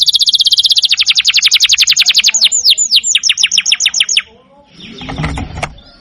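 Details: Canary song used as a training recording for other songbirds: rapid, evenly repeated high whistled trill notes, then faster downward-sweeping notes, ending after four seconds; a short burst of low noise follows.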